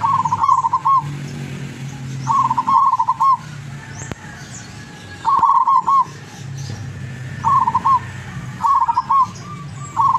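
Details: Zebra dove of the lurah type, locally caught in Tuban, East Java, singing often; six bursts of rapid, stuttered coos at one pitch, each ending in a rolled note, spaced irregularly, with clicking and low droning noise behind.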